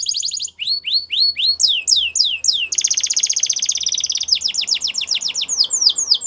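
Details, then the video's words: Canary song played to coax a quiet canary into singing again: fast series of high rising whistled sweeps, then a dense buzzy trill, then more rapid upward-sweeping notes, all bright and loud. "Your Canary Is Quiet ? Will Sing Again After Listening To This"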